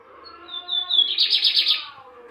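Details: Lined seedeater (bigodinho) kept by a Brazilian breeder, recorded 18 December 2022: a thin, high whistle sliding slightly downward, followed by a fast buzzy trill of five or six bright pulses, with soft low background murmur.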